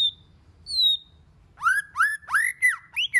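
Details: Many-voiced White-rumped shama song used to stimulate shamas. Two clear high whistles, one falling, are followed by five loud ringing arched notes in quick succession.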